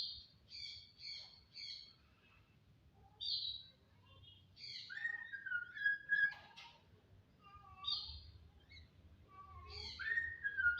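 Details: Starling, known locally as jalak, singing a varied whistled song: short repeated paired notes, then clear sliding whistles and downward slurs, with phrases spaced by brief pauses in a quiet indoor setting.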